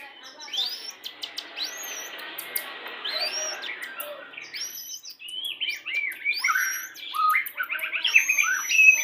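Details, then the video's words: A "pastol" style white-rumped shama song for pairing, meant to bring birds into breeding condition fast; scattered upswept whistles over a hissy background, growing busier with quick varied phrases in the second half. "PANCINGAN MURAI BATU PASTOL CEPAT BIRAHI"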